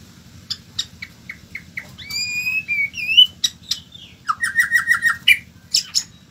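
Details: White-rumped shama song opening with evenly spaced short chips, then a long clear whistle, a bright upslurred note and a quick series of five ringing descending whistles, finishing with sharp high notes.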